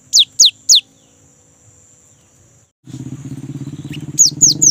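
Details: Young great tit used as a lure: a trio of clear falling whistles, a quiet gap, then a loud rumbling engine-like drone with another trio of falling whistles on top.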